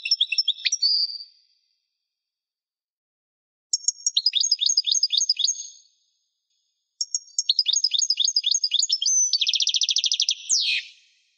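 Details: European goldfinch singing in bursts of rapid, tinkling twittered notes high in pitch, each phrase ending in a fast buzzy trill and a downward slurred note, with clear pauses between phrases and no other sounds.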